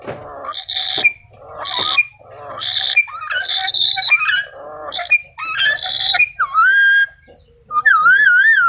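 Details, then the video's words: Black-capped lory producing harsh, raspy squawks in quick succession, then ending with clearer whistled notes, including a rising whistle and a wavering, warbling tone. "Burung nuri kepala hitam"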